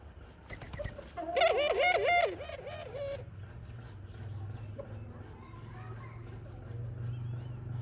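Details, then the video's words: Dove mother feeding her young: a burst of quick, pulsed, wavering whistled notes lasting about two seconds, then a low steady hum and faint background noise. "Khumra bird mother feeding her baby | khumra birds voice | dove birds sound"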